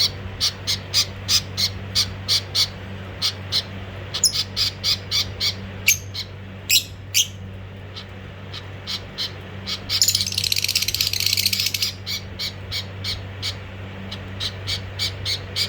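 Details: Budgerigars, a female hitting the male: quick, sharp chirps in series, broken by a harsh two-second screech, over a low electrical hum.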